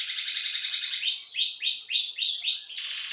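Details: Ultramarine grosbeak singing the song style known as meia-noite: a fast run of bright, high chattering notes, then a series of clear downslurred whistled phrases repeated about every third of a second, ending in a buzzy burst.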